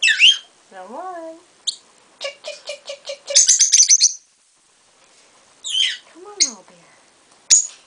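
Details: Two pet peach-faced lovebirds answering one another indoors, a lutino hen and her younger sibling: quick high chirps, a run of rapid clicking notes, wavering warbled phrases and sharp squeaks with pauses between.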